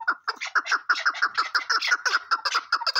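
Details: Chukar partridge gives a rapid series of clucking chuck notes, about four to five per second, mid-pitched and slightly nasal with a faint chattering edge, continuing without pause.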